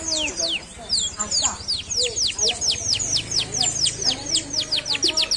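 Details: Canary singing a long series of rapidly repeated high downward-sweeping whistles, roughly four per second, with softer twittering mixed in and a low steady hum in the background.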